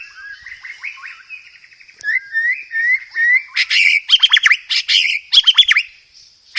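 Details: White-rumped shama master song used to train caged birds, full of fillers: soft quavering whistles, then clear repeated rising whistled notes, followed by loud harsh chattering bursts and rapid chirps, with a constant high whine underneath.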